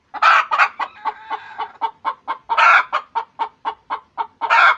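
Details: Hen cackling over a newly laid egg: loud raspy squawk, a run of rhythmic clucks, then further long squawks near the middle and end.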